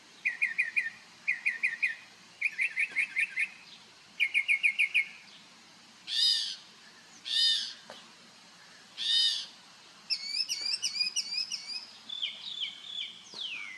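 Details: A bird singing in the morning while dancing on Marco Island, Florida: rapid high chattering trills in repeated bursts, then three loud harsh rasping notes, followed by a string of quick upslurred whistles and a final falling note.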